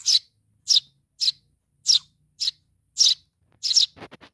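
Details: Baby sparrow calling for mom: separate shrill, high chirps spaced about half a second apart, ending in a quick burst of rough clicking sounds.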